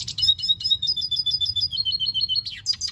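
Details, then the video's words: Red siskin song phrase: a rapid series of high, clear whistled notes repeated about five times a second and slowly falling in pitch, ending in a few sharp chirps; low hum underneath. "Pintassilgo da venezuela cantando muito - Suara Burung Red siskin"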